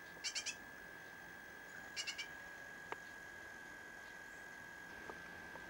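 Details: Fledgling great tit, a rescued chick, uttering soft triplets of rapid scratchy high-pitched notes, with a sharp click midway and a constant whining tone running underneath.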